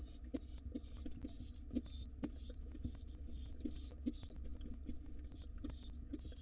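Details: Hungry wild pigeon nestlings begging as their father feeds them, giving shrill, wavering squeals in a steady series about two or three per second, with faint knocks and a constant low background hum.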